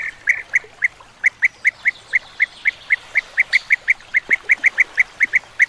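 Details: Rapid series of clipped, burry calls from European bee-eaters, about four per second, evenly spaced, with soft background noise.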